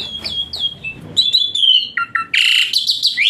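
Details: Asian pied starling song for therapy of a lazy-singing bird: high whistled slurs, a drawn-out wavering note, then loud harsh grating bursts.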